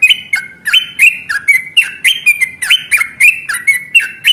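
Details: Energetic yellow-vented bulbul in a fighting, long rapid song used as a lure to set others singing: dense run of clear whistled notes with short upward and downward slides, over three per second, in continuous flow.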